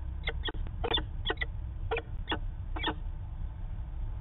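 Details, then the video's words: Peregrine falcon calls from Manchester, New Hampshire, 19 September 2018, part of a long discussion: about eight harsh, abrupt notes in the first three seconds, then quiet over heavy low rumble. "Peregrine Falcon Long Discussion"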